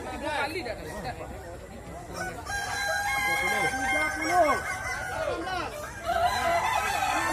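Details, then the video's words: Contest Kukuak Balenggek roosters in West Sumatra deliver long multi-part crows, some notes held level and others sweeping down, several birds overlapping, with background voices and clucking. "Lomba Kontes Ayam Kukuak Balenggek, Suaranya Bikin Kagum"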